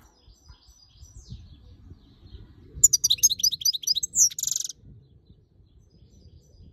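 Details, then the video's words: ['Female European goldfinch, angry with the camera, bursts into a rapid liquid twitter of high tinkling notes lasting under two seconds, ending in a buzzy nasal note, with quiet before and after.'] "Goldfinch Call Female and Angry with Camera!"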